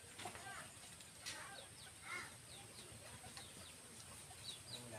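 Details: Starlings, seemingly alarmed by strange sounds nearby, give scattered, short, sharp descending chirps and a few harsher notes, several birds calling irregularly over a steady high hiss.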